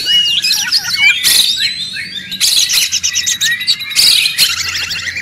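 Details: Loud, busy song of a noisy White-rumped shama (murai batu) meant to provoke other birds into replying: zigzag whistled notes, sharp chips and fast buzzy trills tumbling together almost without pause.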